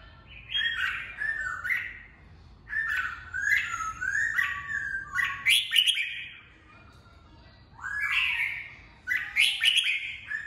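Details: Caged red-whiskered bulbul singing during voice training for fighting-bird contests; bubbly whistled phrases with sharp, squeaky high notes, delivered in bursts about every two to three seconds, separated by brief silences.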